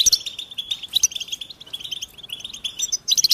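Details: American goldfinch song with sharp, loud chirps at the start, middle and end, linked by softer rapid twittering at a high pitch.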